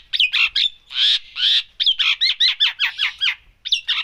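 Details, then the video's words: Long-tailed shrike in vigorous 'full isian' song. A fast run of loud, harsh, buzzy notes comes at roughly two to three per second. Each note varies in shape, and the run breaks off briefly near the end. "cendet gacor full isian"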